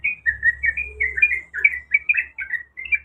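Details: Calling female sooty-headed bulbul seeking a male; rapid chirpy, slightly slurred notes tumble in an unbroken chain for three seconds, with faint low background hum.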